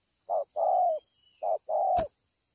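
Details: Spotted dove recorded at Ngọc Hồi on 25 March 2020, cooing strongly: low hollow coos in two phrases, each a short note followed by a longer drawn-out one, with a faint steady insect hum behind and a sharp click.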